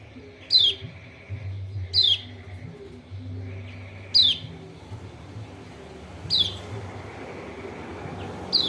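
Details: White-eye of Lombok, locally kecial kuning, giving lure calls to trigger a lazy bird to sing: five sharp descending high notes at uneven intervals of one to two seconds, low hum in the background.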